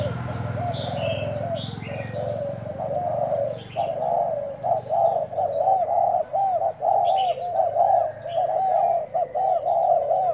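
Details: Spotted dove kept as a decoy, trial cooing on 1 November; after a noisy start, a fast string of low, hollow coo notes in short bursts, with high chirps and twitters from other birds.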